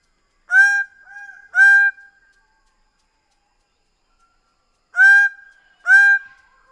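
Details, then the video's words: Two pairs of strident, nasal honks from a Greater bird-of-paradise, each pair about a second apart, split by a long silent pause of nearly three seconds. "Greater bird of paradise sound"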